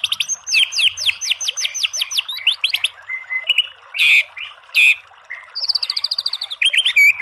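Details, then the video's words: Loud white-rumped shama song: a quick series of downslurred whistles, a flat piping note, two explosive harsh bursts, then a fast rattle and ringing whistles. "MASTERAN MURAI BATU full TEMBAKAN biar EMOSI NYAUT jadi BUNYI GACOR BONGKAR ISIAN"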